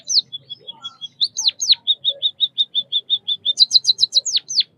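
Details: White-headed munia (Lonchura maja) of Southeast Asia: thin high piping notes repeated evenly, broken by a few sharp falling whistles, then a fast burst of high chirps and two more downward-sweeping notes.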